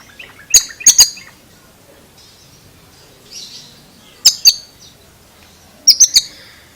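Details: Oriental magpie-robin giving a strange sound: groups of two or three loud, piercing harsh notes every couple of seconds, separated by quiet soft calls.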